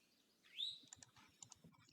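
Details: An Eastern Towhee, a year-round resident, gives its call: a single quick two-note call that sounds like its name, a faint short note slurring into a loud rising whistle, then light clicking sounds.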